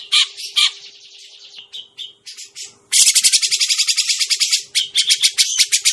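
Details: Grey-cheeked bulbul, a lure recording, giving scratchy, high chattering notes, then a fast burst of harsh repeated chirps about two per second; a faint low hum underlies the start.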